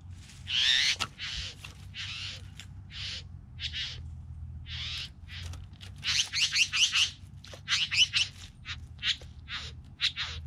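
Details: Three bowerbirds calling: a busy run of harsh, hissing, rasping bursts, some long and some clipped short, crowding together in quick clusters toward the end, over a steady low hum.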